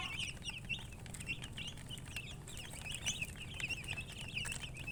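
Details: Baby chickens chirping in a crowded chorus, shrill quick peeps blending into a continuous twitter, accompanied by a strong low droning hum throughout.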